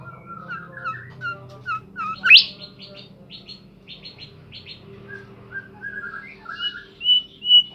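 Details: Energetic singing from a Bimoli bird: quick chirps, then a loud upward-swept whistle, a burst of rapid buzzy notes and later a series of clear slurred whistles, with a faint low hum beneath.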